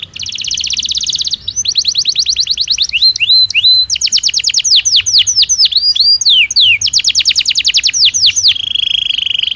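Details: A Belgian canary sings naturally in a continuous, varied stream: a high buzzy roll, rapid tinkling trills of falling notes, sweeping whistled slurs, and a final steady buzz.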